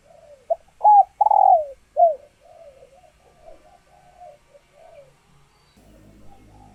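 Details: Captive laying female spotted dove whose calls stimulate males to court; a loud phrase of short rising coos and a long rough falling coo, followed by quieter trailing coos and a low rumble.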